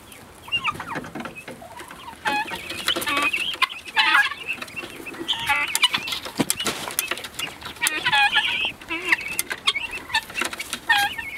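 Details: Helmeted guineafowl flock on its first outing outdoors: dense, overlapping chirps and squeaky, rising-and-falling calls from several birds at once throughout, with a brief human exclamation.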